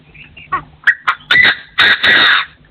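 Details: Partridge crowing in forest, a lure bird recorded in 2024: a few short rising notes build into loud, harsh, grating bursts that run together near the end.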